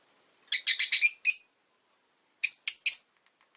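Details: A pet rosy-faced lovebird chirps loudly in quick runs: five shrill, buzzy, high notes in rapid succession, a pause of about a second, then three more, with nothing else audible.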